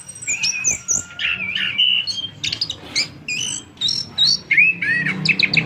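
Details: Orange-headed thrush, a captive bird offered for sale, in long continuous song: varied high whistles, sliding notes and quick chirps, phrases changing every half second or so, with faint low background hum.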